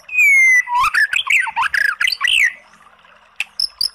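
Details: White-rumped shama song for provoking a sluggish bird to answer: a long, falling clear whistle, then a rapid warbled run of looping notes, ending in sparse high chips.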